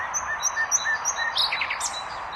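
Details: Common nightingale singing: a run of short, evenly spaced high whistled notes, several per second, then a quick burst of varied rising and falling phrases over a steady background hiss.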